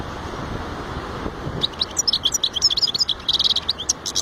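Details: A European goldfinch starts singing after a quiet start, a fast run of bright, high twittering and liquid trills that grows denser toward the end, over a faint low rumble.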